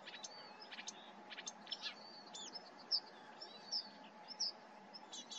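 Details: Marsh warbler recorded at Starene bird observatory in Norway, 2023, singing a hurried, varied medley of high buzzy chips, rattles and thin whistled notes, broken by short gaps, with a faint background hum.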